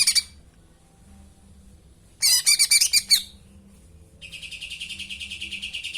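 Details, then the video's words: Sooty-headed bulbul song filled with house sparrow-style phrases ("isian greja"): a brief high chirp, then a burst of fast, dense chirps, then a long run of quick, evenly repeated high notes. Faint low hum underneath. "cucak ino isian greja"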